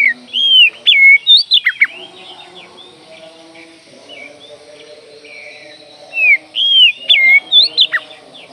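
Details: Oriental magpie-robin producing two bursts of loud looping whistles and quick chattering notes, separated by roughly four seconds of near quiet with only a low background hum.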